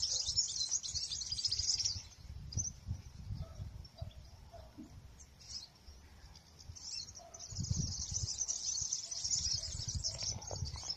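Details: European serins singing a lot in the wild near an olive tree, several birds: high, fast jingling buzzy trills in long bursts, with low rumbling wind or handling noise underneath.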